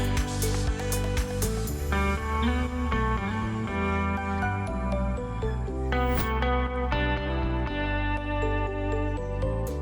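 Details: Loud plucked guitar music with a steady beat and deep bass fills the whole stretch, and no animal calls are heard.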